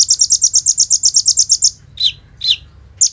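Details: Olive-backed sunbird (kolibri ninja) singing as bait to make other sunbirds sing: a loud, steady trill of about fifteen buzzy high pulses, then two sharp downward chips and a final note.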